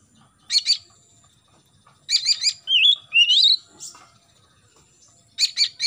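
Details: Morning singing of an Oriental magpie-robin, used to encourage young birds to start singing: clusters of sharp, rapid triple notes, then warbled twisting whistles, and another quick triple burst near the end. A faint low rumble underneath.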